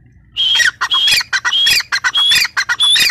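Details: Female grey francolin, known locally as teetar, giving a rapid series of harsh, squawky notes with whistled overtones, about one and a half per second, loud and close.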